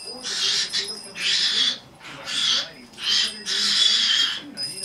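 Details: A young female pet red-bellied parrot, 10.5 months old, makes five loud, hissing, noisy bursts in a row, each lasting about half a second to a second, with a faint low murmur underneath.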